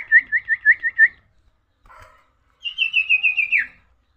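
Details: Tailorbird singing continuously: six clear, wavering whistled notes repeated quickly, a soft scratchy pause, then a higher series of about eight bubbling whistles ending in a downward slur.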